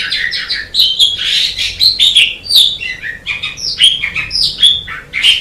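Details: Continuous babbling song of an Asian pied starling, mixing raspy chatter, squeaks and slurred upward and downward whistles in a dense, unbroken stream.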